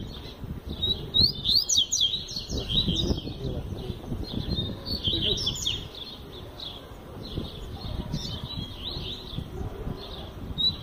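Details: Double-collared seedeater singing the tui tui zel zel style of song, strong and persistent: rapid high sweeping whistles and chips in dense runs, with steady low rumbling background noise throughout.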